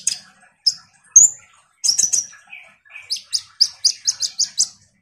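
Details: Lively konin sunbird, a lure for a reluctant kolibri ninja: scattered high chirps and a short whistle, two lower notes, then an even series of about nine sharp, high chips.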